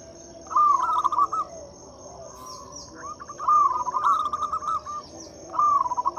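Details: Zebra Dove of local stock, its loud song used as a lure for quiet birds: three rolling phrases of quick staccato coos separated by pauses, over a steady high insect-like whine.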